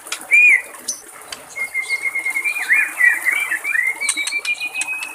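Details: White-rumped shama singing in the wild: a short bright whistle, then a long, drawn-out, wavering whistled phrase with fast trills woven in, over trickling water and faint clicks.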